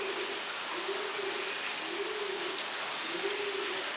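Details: Female Delacour's crested fireback at Walsrode, Germany, giving low soft hooting notes in short drawn-out phrases repeated about every second, over a steady hiss of background noise.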